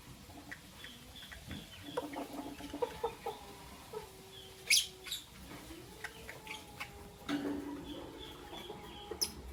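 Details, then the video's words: Albino and Euwing Green Opaline lovebirds in the morning give scattered shrill chirps, one strong burst midway and another later, while faint sustained tones and light tapping run in the background. "Lovebird Chirping Sound"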